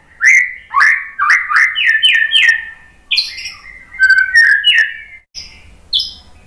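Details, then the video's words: White-rumped shama provoking song for training another bird: a loud series of rich whistled notes, each dropping in pitch, given in quick succession. Short pauses break it up, and sharp high clicks are laced through it. "MASTERAN MURAI BATU biar EMOSI NYAUT jadi GACOR BONGKAR TEMBAKAN ¦ PANCINGAN MURAI"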